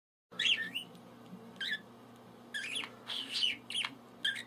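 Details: A budgerigar chatters in short bursts of high, scratchy warbling over a steady low hum, as if having a conversation on a mobile phone.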